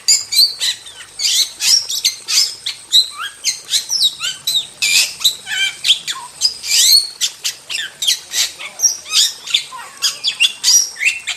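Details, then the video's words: Wild starling delivering a continuous, busy medley of shrill whistles, rattles and harsh chatter, notes overlapping in fast succession. "Masteran Jalak Super Gacor – Ultimate Wild Starling Sound Effect"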